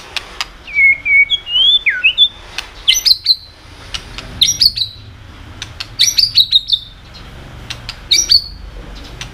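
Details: White-rumped shama singing continuously with sharp tail-clicking sounds, a song used to provoke other birds into singing: clear whistled phrases, some rising and some falling, mixed with dry clicks at an irregular pace.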